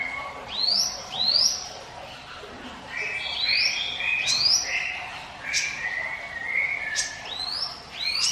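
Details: Mountain prinia, locally ciblek gunung, singing as a lure for other birds: rising whistled upslurs in spaced groups, mixed with short sharp high descending notes and lower steady tones.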